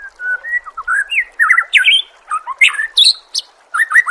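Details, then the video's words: Murai training song: loud, clear whistles and looping slurred phrases, with some notes swooping upward and others dropping, following each other with brief pauses. "Masteran murai AMPUH yang di pakai semua burung juara PASTI CEPAT GACOR DAN NGEPLONG"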